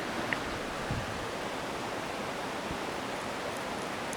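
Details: Steady broadband rushing like a stream or surf fills the whole recording, with no animal calls standing out.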